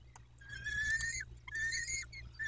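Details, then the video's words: Peregrine falcon at the nest in Dobra, 14-05-21: two drawn-out, slightly wavering harmonic wails with brief clicks between, against a constant low background hum. "Sokoły - Codzienność w Dobrej"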